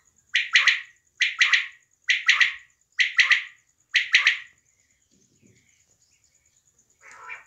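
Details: A female quail in Pakistan, recorded in a hunting context in 2023, gives five raspy, clipped two- or three-note bursts, roughly one per second, then a softer call, over a faint, steady high whine.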